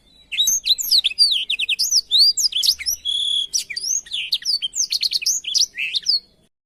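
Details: Blackthroat song recorded as a tutor for canaries to learn from: a fast, continuous run of bright whistled and twittering phrases, many notes sweeping up or down, with short pauses between bursts over about six seconds.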